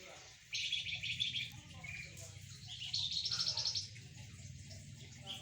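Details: Flamboyan singing energetically during sunning beside spotted doves and zebra doves; two dense, high, rattling twitter bursts separated by softer chirps, with faint voices and a steady low background hum.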